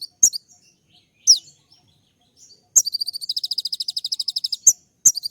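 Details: Sunbird (kolibri ninja) in lively full song with sharp 'tembak' notes, used as master training audio: scattered high thin chirps and slurred notes, then a rapid even trill of about twenty high buzzy pulses, with sharp ticks between phrases.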